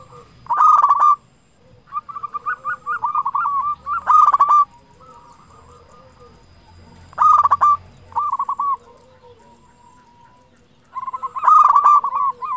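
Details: Loud-voiced local zebra dove singing often, used to lure other zebra doves into song: bursts of rapid staccato cooing notes with a harsh onset, repeated four times with quiet gaps between.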